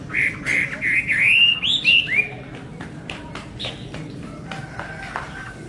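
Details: Chinese hwamei singing a fast string of loud, rich whistles, each rising then dropping, for about two seconds, followed by quieter scattered clicks and short notes.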